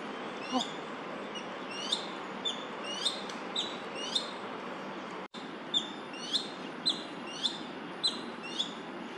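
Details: Crested goshawk, two males calling at each other in a territorial dispute in Daan Forest Park, 30 September 2022: sharp, high, downward-sweeping notes repeated roughly every half second, with a steady low city hum behind.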